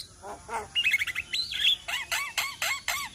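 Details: Black-winged mynas calling as a group in Indonesia: two low nasal notes, then clear whistled slurs and a rising-falling whistle, followed by a run of arched, downslurred chirps repeated roughly every quarter second.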